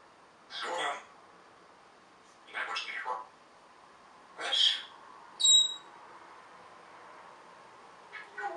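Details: Pet African grey parrot gives three spaced speech-like phrases, then a short, very high, pure whistle. A faint final syllable closes the sequence.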